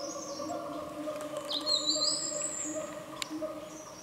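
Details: A snowy-browed flycatcher perched in front of a bird hide in shady forest on Mount Kerinci, Sumatra, gives thin, very high notes, one sweeping upward into a sustained whistle, over a steady low droning hum.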